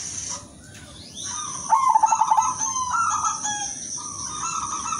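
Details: Calling to attract males, a silver female zebra dove gives a rapid trilled string of coos, then steady drawn-out coos, with a persistent high-pitched tone in the background.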